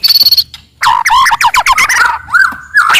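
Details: Wild forest white-rumped shama singing loudly and aggressively to provoke rivals: a rapid trill of clicks, then a tumbling mix of varied whistled and harsh notes ending in a long level whistle with a rising flourish.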